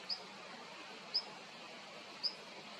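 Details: Uragus sibiricus, the long-tailed rosefinch, giving three brief sharp high pips about a second apart against continuous faint hiss, with no other clear sounds.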